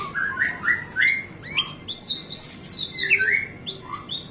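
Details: Singing White-rumped shama with a song full of fill phrases, used as training audio for captive birds: looping whistled notes rising and dropping in pitch, delivered in quick varied bursts.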